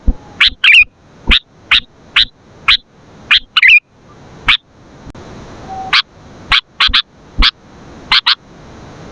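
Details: Sooty-headed bulbul used as a lure and training model, giving sharp, isolated chirps spaced about half a second apart, a few doubled or slurred, over a steady low hiss with occasional clicks.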